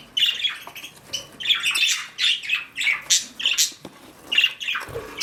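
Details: Female parakeet (budgerigar) on nest duty: dense, grating squawks and chirps tumble out rapidly in uneven bursts, filling most of the clip with scratchy chatter.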